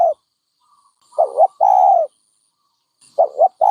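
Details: Dove giving low, soft coos: a short note, then a pair of quick wavering notes and a sustained coo, starting again at the end.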